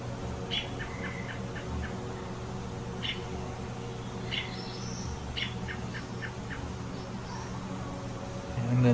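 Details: American Robin alarm call on sensing a nearby threat, played at a museum exhibit: short, sharp, high chips in loose bursts every second or so, over a steady low hum and people talking.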